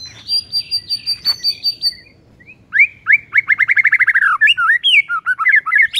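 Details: White-rumped shama singing in the morning to provoke rival birds: high whistled notes near the start, a pause, then a fast run of rapid descending trills and warbled, rising and falling phrases.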